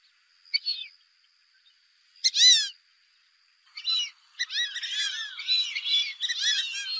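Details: Fulvous whistling ducks give a hunting call of squeaky, slurred whistles: two isolated calls, then a run of overlapping whistles from several birds, with a steady thin high tone underneath.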